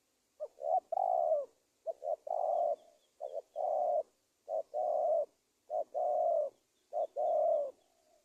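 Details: Lure recording of a spotted dove for catching wild doves, Indonesia: six or seven phrases in quick succession, each a short double coo followed by a longer rounded coo, with thin high chirps of another bird in the background.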